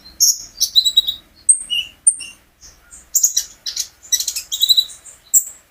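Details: Olive-backed sunbird kept at home singing to coax other birds into song: quick high chirps and short thin whistles, building into a rapid, dense stream of sharp buzzy notes.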